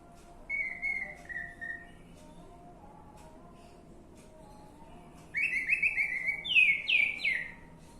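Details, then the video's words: Orange-headed thrush lure recording meant to prompt a bird to sing: two soft whistled notes, a pause, then louder drawn-out whistles and rising, sliding phrases over a low background rumble. "Pancingan Anis merah macet bunyi"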